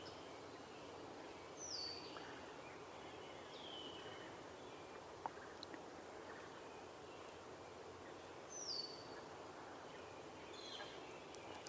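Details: Northern Flicker, a kind of woodpecker, heard on a July 1, 2023 bird tour, gives a few brief, high, down-slurred calls spaced several seconds apart, possibly moving closer, over a steady rush of flowing water or wind.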